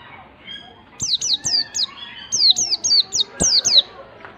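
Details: White-eye song meant to stir a reluctant bird to sing: a rapid run of high, thin whistles sliding downward, in two bursts of several notes each, with faint softer chirps in the background.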